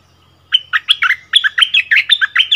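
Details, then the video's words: Bulbul song duel at the decoy bird's old haunt, where a new territory holder answers, February 2021: after a short pause, a lively chattering run of mellow, rolling whistled notes. "เสียงนกดอกแตงEp.30 คืนถิ่นเก่า!!ดวลเพลงเบิ้ลกับเจ้าถิ่น"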